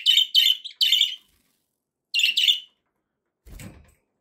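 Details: Budgerigar chirping in quick bright pulses, three close together and then a pair after a gap, followed by a soft low thump.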